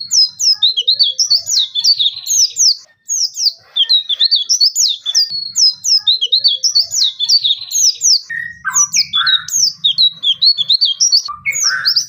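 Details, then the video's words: Oriental white-eye in full song, delivering rapid series of sharp, high downslurred chirps repeated in dense bursts, later joined by lower, harsher slurred notes. "pleci gacor belajar buka paruh full materi nembak-nembak"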